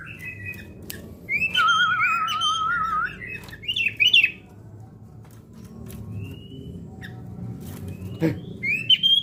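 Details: Sooty-headed bulbul trained for fighting mentality: loud, rapid, bubbly phrases layered over a wavering steady whistle, then a few sharp scratchy notes and scattered high chirps, with clicks and a low background rumble.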